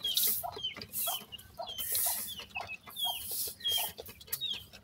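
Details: Young grey francolins, dakhni teetar, make a chorus of brief high descending peeps, several per second from more than one chick, alternating with bursts of loud hissing rustle.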